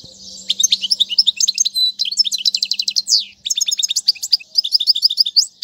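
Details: Goldfinch song for teaching fledglings, with Tiwawati and Mandolin styles in the recording: fast tinkling twitter of short rising notes and trills, a low steady hum at first, one brief gap before the song resumes.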